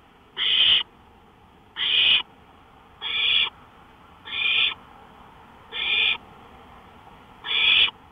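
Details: Series of six even, rasping hiss calls from an owl on a porch in the small hours of 5 May 2013, around 1:53 AM, spaced roughly every one and a half seconds.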